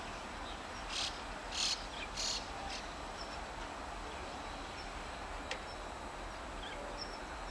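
A White-cheeked Starling gives three or four harsh, rasping notes in a quick cluster, then falls silent. A steady background hiss runs throughout.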